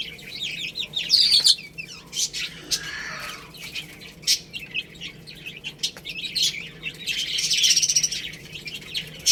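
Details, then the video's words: Young chicks eating rice give scattered high peeps: a loud cluster near the start, quieter pecking clicks in the middle, then another thick burst of chirping toward the end. "Beautiful Chicks Chirping Sounds"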